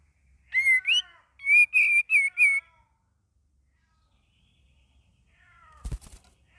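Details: Sooty-headed bulbul learning to sing with varied phrases: two slurred whistles, then a run of four clear, even whistled notes, a long pause, and a faint knock near the end.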